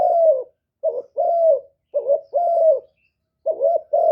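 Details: Spotted dove decoy used for luring wild doves, giving a '1 hậu' call. Roughly four phrases of a short rising note followed by a long, gently falling coo, spaced by short silences.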